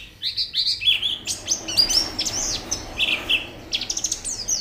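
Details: White-eye song used as training audio for singing: bursts of high, slurred chirps and short twitters, broken into quick clusters over a hissy background.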